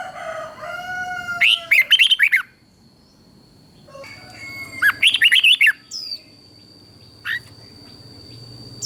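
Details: Red-whiskered bulbul in Thailand giving its southern master-style song to rouse other bulbuls: two lively phrases of sweet, tumbling whistles about three seconds apart, with a few lone chirps and soft background tones.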